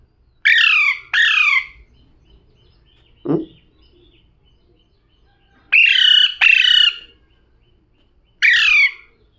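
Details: Paired harsh, buzzy parrot squawks with falling pitch. A brief low knock or voice sounds between pairs, and a single squawk comes at the end.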